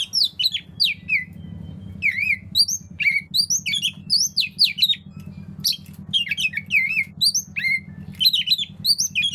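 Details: Vigorous Oriental magpie-robin song used to get unwilling birds singing: continuous high, twisting whistles and scratchy chirps delivered in quick succession, with a steady low background drone.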